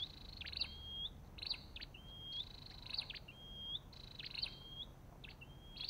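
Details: Olive-backed tailorbird giving clear, high whistled phrases, each a bright note sliding into a level whistle. They come about every 0.8 seconds, with scratchy clicks in between and a faint low hum beneath.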